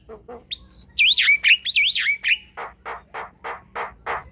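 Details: Javan myna (jalak kebo) singing at night, opening with soft notes, then loud whistles looping up and down, then evenly spaced harsh rasping chacks roughly twice a second.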